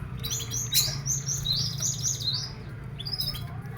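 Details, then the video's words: Caged canary sunned in the morning hours, between eight and ten, to encourage singing and health; a rapid run of sharp high notes repeated in quick succession forms a rolling trill, then a short chirpy phrase, over low hum. "Jemur Burung Kenari"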